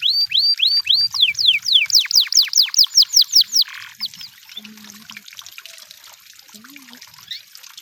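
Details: In the wild, a canary sings a loud run of looping descending whistles, about three per second, before falling quiet, leaving faint distant chirps and soft background noise.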